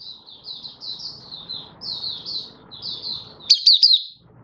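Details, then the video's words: Caged Malaysian white-eye singing happily in Singapore on 20 March 2023, stable warm sunny weather: a series of high, thin, slurred warbled phrases, then a brighter burst of sharp notes near the end over faint low background hum. "Malaysian Mata Puteh Happy Buka Sing"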